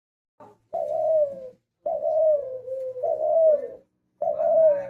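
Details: Spotted dove, called a hunter dove, giving low hollow coos around the mid-pitch range, each drawn out and slightly falling, about four phrases in five seconds with short silent gaps, indoors.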